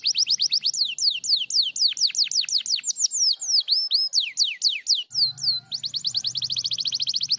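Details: Canary answering a lure recording: quick sequences of sharp downslurred notes, some paired, broken by a brief gap, then a fast high trill over a low background hum.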